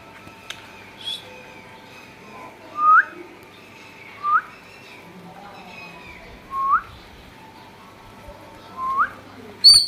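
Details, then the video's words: Indian ringneck parakeet kept as a pet, giving a series of short, rising whistled notes spaced about one and a half seconds apart, ending with a higher squeak. "Talking Parrot"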